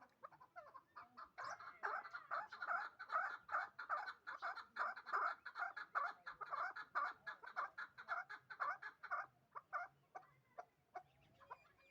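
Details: Two-year-old hybrid partridge kept in Dushanbe, Tajikistan, bred for fighting and hunting, calling in a fast rhythmic run of harsh chucking notes, several per second, that rises in intensity and then thins into scattered notes near the end.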